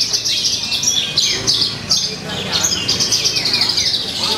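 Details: Contest-singing Javan bush lark in Purwakarta, 2 February 2020: sustained high chattering song of fast sharp chips and short slurred notes, steady throughout, with background talk and other caged birds.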